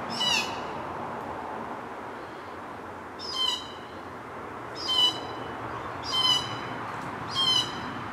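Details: Glossy black cockatoos at their feeding ground on a rural property at Cootharaba, where they feed on Casuarinas each June to September. Harsh, buzzy, slightly falling calls, five spaced through the clip, stand above a steady hiss of background noise.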